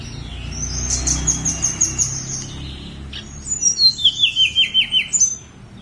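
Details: Snowy-browed flycatcher singing on Gunung Songgo Langit: a run of repeated high chips, then a longer series of about nine bright notes stepping steadily downward, over a low hum.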